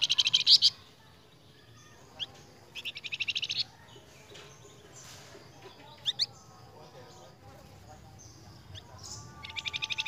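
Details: Lure recording of a flamboyan singing for cage-bird training: repeated bursts of fast, high, rattling trills separated by pauses, with scattered sharp chips and a few thin whistled notes in between.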